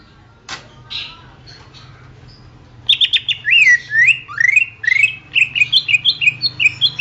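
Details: Song of a greater green leafbird used to train songbirds: quiet scratchy notes first, then a lively stream of loud whistled slurs and chirps, rising and falling, quickening toward a rapid chattering finish, with faint low hum.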